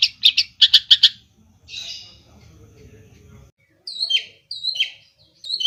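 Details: Long-tailed shrike from Java singing 'gacor' with clear 'isian' fill-ins: a quick cluster of sharp high notes, a short buzzy note, a quiet pause with faint low rumble, then crisp downslurred whistles.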